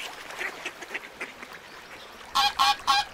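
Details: Soft, scattered calls over a lagoon background, then a duck close by bursts into three loud, harsh quacks in fast succession.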